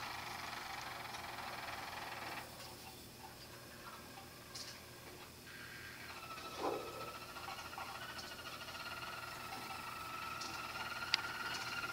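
Only quiet indoor room noise and a faint steady electronic-sounding tone, with no clear bird song.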